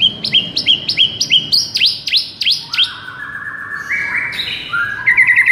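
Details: White-rumped shama song from a training track for a sluggish bird: rhythmic paired notes, then a run of swooping whistles, then drawn-out steady tones climbing step by step and a closing rapid trill.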